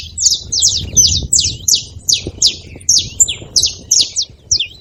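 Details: Several saffron finches noisy together; a repeated run of bright, high chips falling in pitch, roughly three each second, over a muffled low background rumble.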